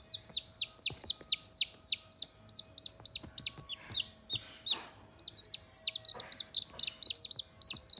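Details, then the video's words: Several baby Sultan chickens, a critically endangered white breed with crests and feathered feet, a few days old and playing; a busy stream of high, falling peeps, often overlapping, broken midway by a short rustling scuffle. "Baby sultan chicks playing"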